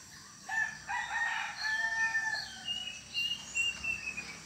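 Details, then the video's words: Plaintive cuckoo, heard calling loudly at night in villages, gives clear, mournful whistles, a lower run then higher, slightly falling notes, over a soft background hiss; locally thought an omen of death. "Misteri Suara Burung Uncuing yang Dianggap Pertanda Kematian"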